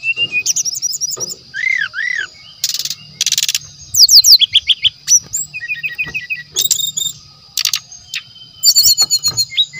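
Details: Brown-chested jungle flycatcher used as a lure, singing a varied medley said to hold natural sounds: looping arched whistles, harsh rattling bursts, quick rising chirps and repeated chip series, over a steady high background hum.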